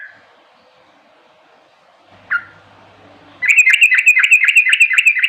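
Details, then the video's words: Sooty-headed bulbul: after a near-silent start with one short whistled note, a loud, rapid run of bright, clipped chirps, about four per second, fills the final two seconds. "burung 🐦 kutilang"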